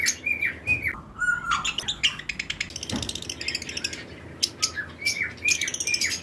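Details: Several lovebirds, breeding-season pairs in a flight cage, chirp at once: shrill squeaky chirps and harsh buzzy squawks in quick overlapping bursts, with brief whistled notes between.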